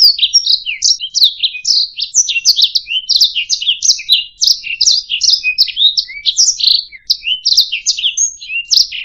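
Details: Canary singing a training song for teaching other songbirds, a continuous rapid warble of varied chirps, trills and sweeping whistled notes, all high-pitched, with no other sounds.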